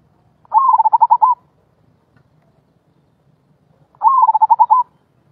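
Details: Rolling-style coo of a zebra dove, the suara gulung type: two identical low purring phrases of rapid rolled beats, about three seconds apart, with silence between.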